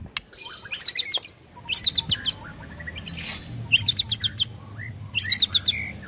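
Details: White-rumped shama song played as a master to make silent birds sing: four bursts of very high, rapid rattling trills separated by short pauses, with soft lower whistles and a low hum behind.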